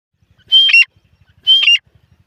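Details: Grey francolin, known locally as teetar, giving two loud, harsh squawking notes about a second apart, each a short high whistle breaking into a grating burst, with quiet ticking between.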